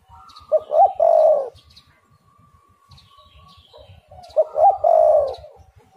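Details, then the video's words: Spotted dove song meant to lure other doves into calling: two loud hoarse coo phrases, each a short hooked note followed by a drawn-out falling coo, separated by a thin steady higher tone. "derkuku super gacor suara angin Topan"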